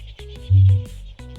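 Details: A kakapo, New Zealand's flightless, nocturnal parrot, gives one deep, low booming pulse lasting about a third of a second, heard over soft background music.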